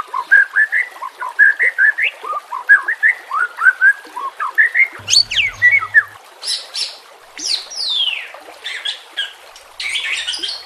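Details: White-rumped shama singing, used to lure and train silent shamas: repeated short whistled phrases for six seconds, then bursts of high rasping, buzzy notes and sweeping slurs.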